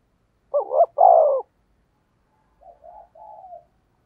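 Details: Spotted dove decoy bird calling to lure wild doves: two loud, throaty coo notes, the second longer and falling, then after a pause a softer run of three low, wavering coos. No other sounds.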